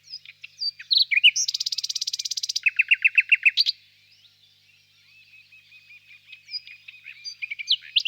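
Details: Nightingale singing softly at a distance in a birch grove on a warm spring evening: a rapid buzzy rattle, then a run of sharp repeated notes about five per second, followed by quieter scattered chirps.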